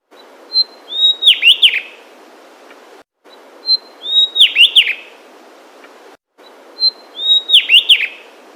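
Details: Javan Tesia in mountain jungle of Central Java, Indonesia: a thin high note, then a quick tumble of sharp, bright chirps, repeated every three seconds.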